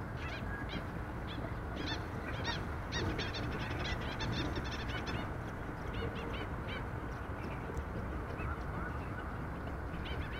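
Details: Several Black-winged stilts, filmed from a bird hide at Sydney Olympic Park in the morning, give sharp, yapping calls in quick irregular bursts, overlapping, over a steady low rumble of background noise.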